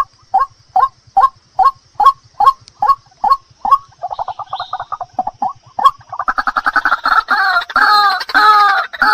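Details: White-breasted waterhen lure recording for attracting birds: evenly spaced, abrupt nasal notes at first, then a rapid stuttering series that swells into a dense, excited chorus of overlapping harsh, croaking phrases.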